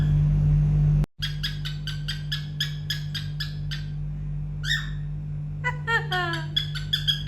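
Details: Pet cockatiel kept at home singing a learned tune on request: a run of short repeated chirped notes, then rising whistles and descending slurred notes, with a steady low hum and a woman's voice before.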